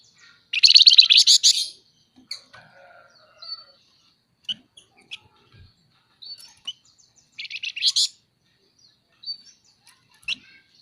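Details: Chattering 'nyerecet' calls of a scaly-breasted munia, used to tutor and prompt other birds: two dense buzzy rattles about seven seconds apart, separated by sparse thin chips and clicks.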